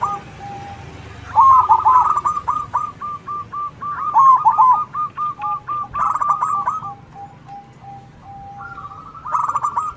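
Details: Zebra doves answering one another in loud manggung song: stuttered coo phrases of rapid notes, a long even series of repeated notes, then a thin sustained tone before another bird joins in.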